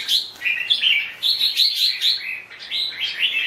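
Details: Red-whiskered bulbul delivering a continuous string of clear, fluting whistled notes that alternate between higher and lower pitches in a bouncy rhythm.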